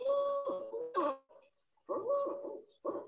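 Barred Owl hooting: rich, slightly wavering hoots in two uneven phrases with brief gaps, like a muffled 'who cooks for you'. Playback sounds a little tinny.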